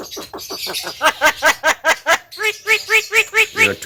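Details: Javan myna singing vigorously: a run of harsh, rasping notes repeated about five times a second, getting louder midway, then a series of arched, ringing notes with a clear rhythm.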